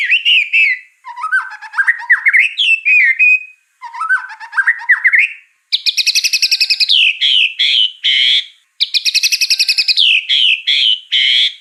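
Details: White-rumped shama, full song rich in mimicked fill-in phrases: varied twittering and slurred whistles, rapid buzzy trills, then repeated bursts of harsh ticking notes followed by falling whistles, delivered in clear bursts separated by short pauses.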